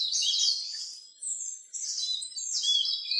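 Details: Eurasian siskin song in a short burst of dense, high twittering, broken by two brief pauses before resuming with thin wheezy notes.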